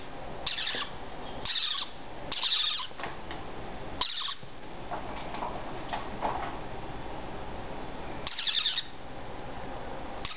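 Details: Female parrotlet chicks 3 to 4 weeks old, starting to self-feed and fledge, give harsh, hissing rasps about half a second long in irregular bursts, with faint softer chirps and a low background hum.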